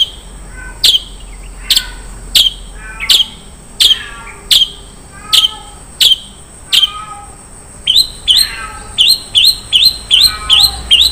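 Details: Long-tailed shrike giving isian mewah fill song: clean sharp descending chirps spaced about every three quarters of a second, then speeding into a rapid series of quick chirps, with a faint steady high tone behind.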